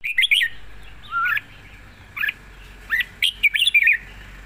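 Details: Red-whiskered bulbul giving a wild-style song with long phrases: short, bright, slurred whistles rising and falling, spaced about a second apart, ending in a quick chatter of notes over a faint low hum.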